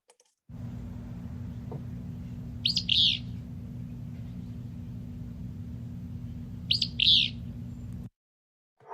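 Willow Flycatcher giving two raspy, sneezy 'fitz-bew' phrases about four seconds apart, over a steady low electrical hum.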